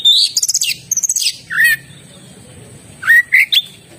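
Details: Oriental magpie-robin giving a rapid chattering burst followed by a few clear whistled notes, then a pause and another short pair of whistles, recorded close with little background noise.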